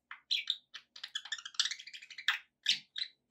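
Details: Companion budgies warble continuously in a dense, twittering chatter of rapid high chirps and squeaky notes with barely a break throughout.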